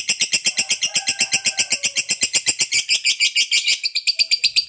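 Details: Lovebird in full ngekek, a continuous fast trill of screechy, buzzy pulses at an even rhythm, with a faint wavering whistle from another bird beneath it in the first seconds.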